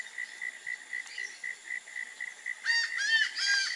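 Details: A quick, steady series of thin, high notes gives way to a laughing falcon's loud, hoarse, harmonic song in the last second; in Brazilian folklore this call is considered a funereal omen.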